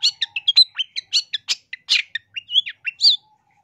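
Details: Long-tailed shrike training song (masteran) with rich mimicked phrases, used to teach caged birds and lure wild ones: rapid run of short varied chirps and squeaky slurred notes, about five per second, with a faint low whistle.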